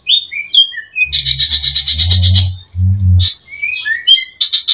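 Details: Greater green leafbird in full song with many mimicked phrases, used to provoke other birds into singing: sliding whistled notes and dense buzzy chattering bursts, over low rhythmic thumping pulses.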